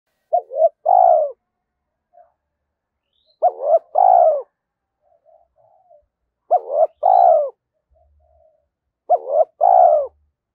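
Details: Spotted dove cooing to challenge a rival, believed to draw wild birds in quickly: a low, hollow three-part coo phrase repeated about every three seconds, with faint softer coos between phrases.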